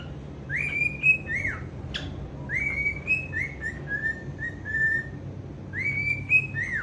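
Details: A pet male cockatiel, free-roaming at home, sings to his owner's feet, whistling a string of clear, slurred notes, some rising and some falling, over a low steady hum.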